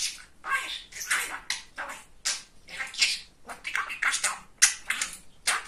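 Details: Talkative, funny male pet budgerigar chattering indoors: rapid, nearly continuous run of scratchy, speech-like syllable bursts, each a fraction of a second long, with brief gaps between.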